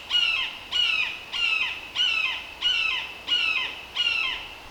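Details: Wild Red-shouldered Hawk in a Connecticut woodland preserve, calling before flying to perch in hemlocks about 30 yards off. Seven strident, descending, piercing screams repeat steadily about every 0.6 seconds, with little else audible.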